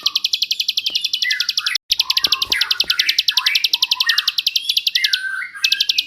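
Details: Bar-winged prinia in the long 'ngebrend' shooting song used for tutoring shamas and magpie-robins: dense high pulse trains broken by brief gaps, with swooping mid-pitched whistles, a few clicks and light music behind.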